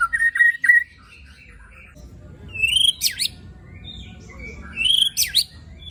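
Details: White-rumped shama singing rough-fill 'tembakan' phrases to stir other shamas: a quick series of whistled chirps, a pause, then two loud rising whistles, each ending in a sharp downward swoop.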